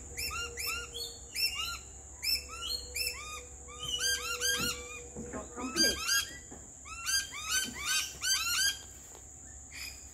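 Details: Two lorikeets visiting a backyard during a barbecue lunch, singing together: rapid series of arched, rising-falling whistled notes with bright harmonics, repeated several times a second in bursts, with a steady high tone running throughout.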